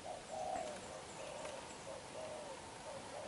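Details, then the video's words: Young black-eyed spotted dove cooing vigorously: a short run of low, hollow coo notes, the first loudest, over steady background hiss. "Bổi Tơ mắt đen, đập gù quá dữ chim"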